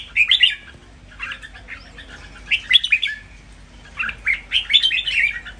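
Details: Three caged red-whiskered bulbuls compete in a doubled-phrase master song. Short clear warbled phrases come in three bursts about a second apart.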